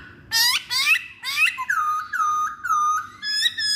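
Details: Masked laughingthrush, used as a stimulus song. It opens with rich, harmonic upward-sweeping notes, then gives long, level whistled notes that dip slightly, about two per second, ending with brief higher notes.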